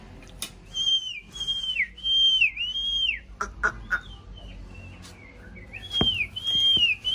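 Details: Aviary-kept Chinese hwamei during breeding season, one of a paired couple: clear whistled notes that sweep up then drop, repeated in a series of similar phrases, with a few sharp clicks between.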